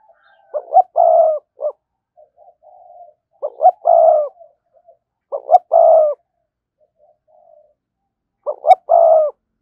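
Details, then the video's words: Spotted dove calling to lure wild doves, with four loud, evenly shaped phrases, each a pair of quick notes, a long hoarse coo and a short final note, plus soft low coos in the gaps. "cu gáy kích bổi hiệu quả/ giọng nhạy bổi nhất hiện nay"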